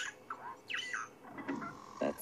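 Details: A Violet-backed Starling sings on a relaxed April 10 safari afternoon, seen singing. It gives short chirps and slurred, squeaky whistled notes, some rising and falling, while a man speaks in the background.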